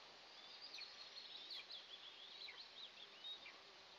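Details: Eastern imperial eagle nest with two eaglets at morning feeding, June 29, 2024, nest-camera recording; faint, high squeaky chirps with short falling slurs scatter through four seconds of hissy background noise.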